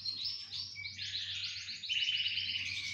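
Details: Canary chorus in song: rapid rolling trills and pulsed high notes flow into a long, even buzzy trill with no breaks, over a faint low hum.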